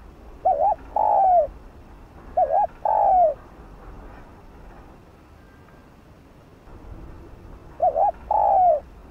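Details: Spotted dove cooing to stimulate other doves to call: three phrases, each a quick doubled note followed by a longer, mellow, falling coo. The first two come close together, then a long quiet gap before the third.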